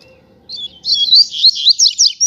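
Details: Coleiro, a double-collared seedeater from a pair kept on the street. It delivers a fast, high, twittering phrase of sharp slurred notes that gets louder and more emphatic toward the end, over a quiet low hum.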